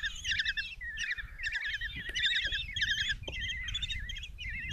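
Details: Five kestrel chicks (Common Kestrel) in a nest box at Tiszalök, Hungary, begging during a breakfast mouse delivery by their mother on June 27, 2024: tumbling clusters of high, vibrating chatter and wavy squeals, with a few knocks in the box.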